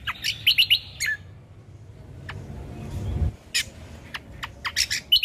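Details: Ruby-throated bulbul recorded as a lure and tutor sound for birds: a fast cluster of bright chirps and whistles, a quiet pause with a soft rustle, then more scattered sharp chirps.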